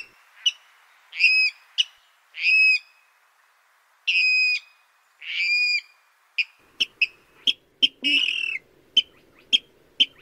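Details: Rail lure call for nocturnal net trapping: several drawn-out, harmonically rich nasal notes, then a rapid series of short sharp pips with a harsh burst in the middle, on a clean quiet background.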